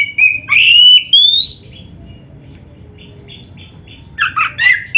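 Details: Oriental magpie-robin in full song with dense mimicked fills: loud whistled and slurred phrases in the first second and a half, a quiet gap, then sharp rapid chattering notes near the end, over a low background hum.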